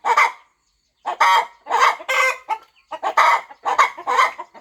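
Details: Farm mother hen on her nest before the eggs hatch; loud raspy clucks in short clusters, roughly every half second after an opening pause.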